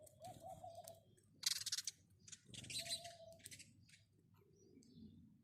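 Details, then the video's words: House sparrow giving loud clusters of harsh high chirps in two main bursts, while a lower repeated hooting phrase from another bird sounds in the background. "house sparrow birds call | house sparrow sound | house sparrow chirping"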